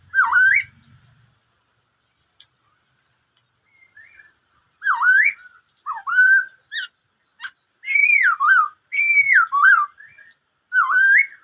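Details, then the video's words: Black-throated laughingthrush in varied song, said to include an imitation of the "bắt cô trói cột" call: mellow looping whistles and quick slurred phrases in clustered bursts, with brief pauses between groups. "em khướu bạc má hót bắt cô trói cột [noog sab hwj quaj suab ntau yam zaj suab]"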